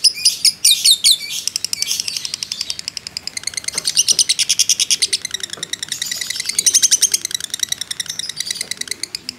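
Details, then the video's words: Fighter lovebird delivering ngekek as lure audio to provoke other birds; loud scratchy notes open, then a long run of quick, shrill chattering pulses with faint low clicks underneath. "pancingan lovebird JITU emosi ngekek panjang ngetik nyaut"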